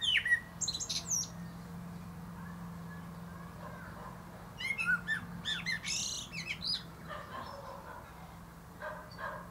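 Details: A common blackbird atop a plum tree opens with a brief warble, falls quiet, then bursts into a dense cluster of whistled and squeaky high notes before softer trailing phrases.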